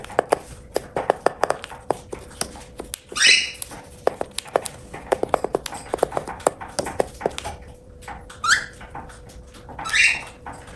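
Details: Pet cockatiel calling while eating indoors: three short, rising, harmonic chirps several seconds apart, set against a steady run of sharp clicking pecks and crunching food, with a faint steady hum behind.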